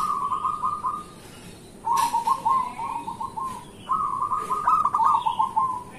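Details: Local zebra dove in full morning song, used as a lure for others: three rippling trilled phrases of quick coos, each about a second and a half, with faint clicks between.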